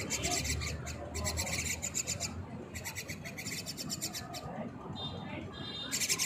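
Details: Myna chicks give harsh, raspy begging calls in rapid churring bursts while their mother feeds them, rising in short volleys with pauses between, over a low rumbling background.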